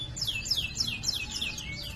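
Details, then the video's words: Canary song phrase in gacor style: a string of about seven clear downslurred whistles, each falling steeply, repeated roughly every quarter second, faint low noise beneath. "Masteran suara burung kenari GACOR ngerol cuit cuit nembak ‼️ Kenari macet akan BUNYI"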